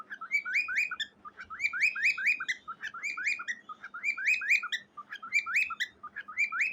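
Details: A cockatiel sings to a gray baby bird, giving a fast run of bright, chirpy whistled phrases repeated in rhythmic bursts.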